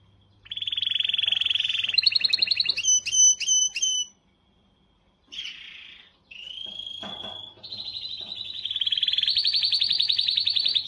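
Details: Powerful canary song used to motivate females: long buzzing trill, clear ringing double whistles, a pause, a slurred whistle, then a sustained rapid trill climbing in pitch.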